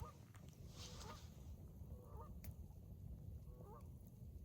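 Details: Canada geese heard from across the water at night on March 29, around nesting time for coastal birds: faint, distant nasal honks spaced irregularly over a low rumbling background.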